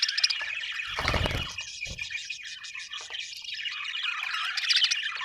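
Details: Budgies keep up a harsh, twittering chatter while low thuds sound near the one- and two-second marks, before brighter squeaky notes take over at the end.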